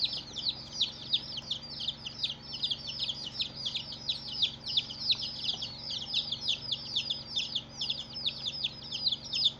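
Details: Many baby chicks, coloured, chirping in chorus; thin, piercing, downward-slurred peeps follow each other without pause for nearly ten seconds.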